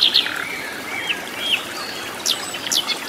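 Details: A flycatcher in the wild in its natural habitat sings high, thin notes: quick sharp chips and short falling whistles, some doubled, scattered across three seconds against soft outdoor background noise.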